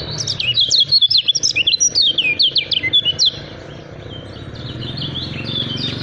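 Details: Lemon-bellied white-eye, the kacamata Lombok, delivering a rapid 'speed rapat fighter' song: a loud burst of bright, zigzagging high chirps for about three seconds, then a softer, more distant stream of twittering notes with faint hum.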